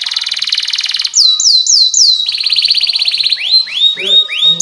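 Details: Canary singing long, excited 'cuit cuit' phrases meant to train young birds: a fast buzzy high trill, then looping whistled sweeps, a rapid rolling trill and slower rising-falling notes, with faint low sounds near the end.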